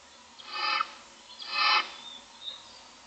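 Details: Barn owl owlets, six in a nest box, looking for food on the morning of day 25: two rough, breathy hissing bursts, each about a third of a second, separated by roughly a second, over a faint steady background hum.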